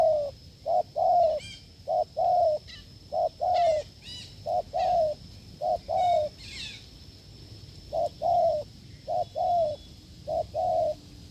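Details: Spotted dove from the wild fields, encountered while testing a decoy, giving hard, forceful coos: clipped note followed by a drawn-out falling coo, repeated roughly every second, with brief high twittering from small birds in between.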